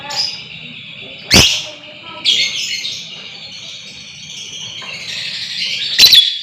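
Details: Lovebird in a recording meant to provoke long trilling (ngekek panjang); a sharp snap, then a long, high, buzzy, continuous trill runs from mid-clip to the end, broken by another loud snap near the close.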